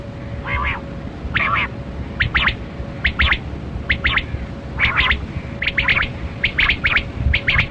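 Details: A Kali Kirak quail, in a recording linked to quail hunting, gives harsh, doubled notes about once a second in a steady series, over a low rumble and a faint steady hum.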